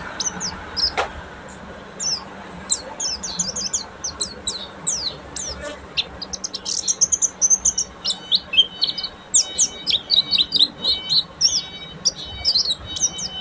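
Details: Oriental white-eye of buxtomi type in long ngeriwik chatter: scattered high chips building into a dense, rapid run of thin twittering notes, with a steady faint tone and background noise.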